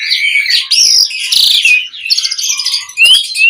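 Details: Asian pied starling song used as a calling lure: continuous harsh, scratchy chatter mixed with whistled notes, ending with a rising whistle after a short gap.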